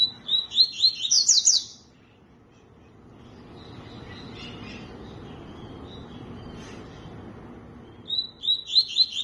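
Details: Tui-tui song: quick bursts of high, sharp, descending chirps stacked in rapid series, one burst near the start and another at the end, separated by several seconds of faint low background hum.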